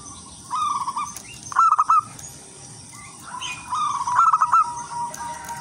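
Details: Zebra dove, local and wild, singing to lure other zebra doves: soft rolling coo phrases alternate with louder, brighter stuttered notes, over a faint sustained tone and background hiss.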